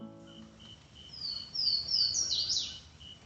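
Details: Swainson's Warbler song in swampy mixed woods of the East Texas piney woods: a quick, explosive run of loud, clear slurred whistles ending in a sharp falling note; faint steady high tone and brief low hum at start.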